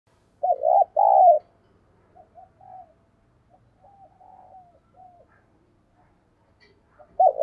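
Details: Decoy spotted dove giving urging coos and calling coos: two loud, low, hollow coo notes open, followed by soft faint cooing, then another loud coo at the end.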